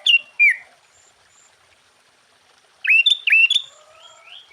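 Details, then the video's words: Sooty-headed bulbul singing to provoke rival bulbuls: two falling slurred notes, a quiet gap, then a burst of four bubbly upswept whistles, with faint rising whistles from other birds behind. "Suara Burung Kutilang Gacor KUTILANG FULL ISIAN Ampuh untuk menaikkan Mental EMOSI Kutilang Lain."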